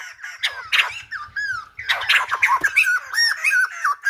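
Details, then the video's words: Silver-headed babbler in full voice, its singing likened to a lumba dancer: dense, chattering bursts mixed with curved whistles, loud and rapid, with a faint low hum beneath. "Khướu Đầu Bạc / Silver -headed Babbler / Singibg like aLumba Dancer."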